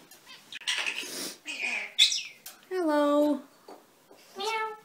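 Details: A pet common starling under a year old, just learning to talk, mimics speech with harmonic, voice-like phrases and a meow-like drawl (owner thinks "hello" or "meow"), with scratchy clicks, a brief whistle and a person's soft voice.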